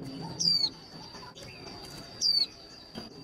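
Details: Two piercing downslurred whistles from a female white-eye, a call meant to excite males into rapid singing for competition, separated by nearly two seconds; a steady high whine and light rustling continue throughout.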